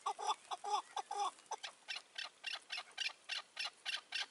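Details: Chukar partridges in May 2024, with a caged decoy partridge on a roof trap and a wary old wild partridge keeping its distance. Three doubled harsh notes are followed by a steady run of clipped chuck notes, about four per second.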